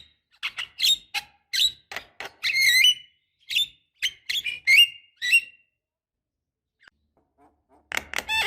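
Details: Javan myna, a female calling a male, used to lure other birds: a fast jumble of shrill chirps, squeaks and rasping notes for five seconds, a quiet pause, then another burst of harsh calling.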